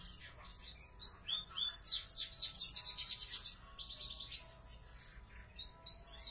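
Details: Energetic song of large YS FOI and F1 YS canaries kept as pets: fast, repeated high trills and sweeping whistles in long rolling phrases, pausing briefly before resuming.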